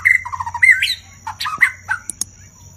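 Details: A white-rumped shama sings a rich, varied burst of whistles and harsh notes, jumping between high and low phrases with sharp clicks at the end, a song used to provoke other shamas into singing.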